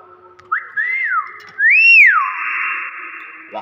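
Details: Common hill myna whistling indoors: a short rising note into a level tone with an arched whistle, then a louder clear whistle that swoops up and falls, trailing into a long steady hum-like tone.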